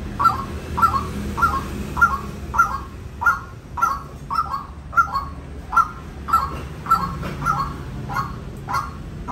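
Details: White-breasted waterhen calling in a long rhythmic run of loud, rough, clipped notes, nearly two per second, very regular in timing, with faint background hum.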